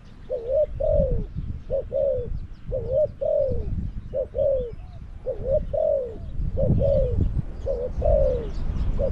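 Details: Spotted dove decoy in a trap cage at Song Phi Nong, Thailand, calling to draw in wild doves: regular paired coos, short then long and descending, with low rumbling noise beneath.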